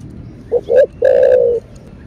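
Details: Spotted dove (cu đất), a captive male in Vietnam, giving a coo: two short notes followed by a long, slightly falling, drawn-out coo, low and mellow.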